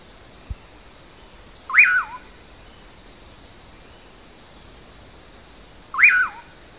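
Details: Pauraque song in the Brazilian style called "amanhã eu vou": two identical rising-then-falling whistles about four seconds apart, with a faint click just before the first.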